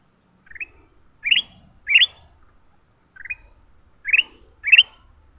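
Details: Fighting leafbird after capture giving loud, harsh, rising calls, mostly in pairs, six calls in all with short quiet gaps.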